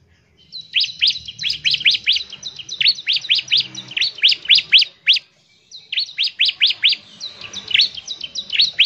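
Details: Bar-winged prinia in lively song to set other prinias singing. Long, rapid strings of sharp, high, upslurred notes run almost without a break, with one short pause midway and a slight low murmur underneath.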